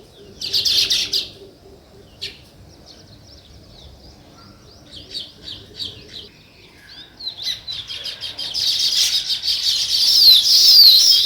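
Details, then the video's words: Scattered sparrow chirps sound against a quiet background: a short burst, then sparse single notes, then a building chorus of high twittering over the last four seconds. "Natural Sparrow Chirping Sounds"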